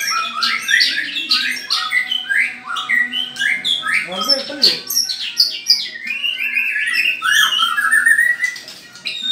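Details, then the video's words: White-rumped shama in a mental test pitting a ringed bird against one called MH: dense, rapid run of varied whistles and sharp rising and falling notes, with a brief lower burst of notes near the middle. "Tes Mental Murai Batu Ring VS MH"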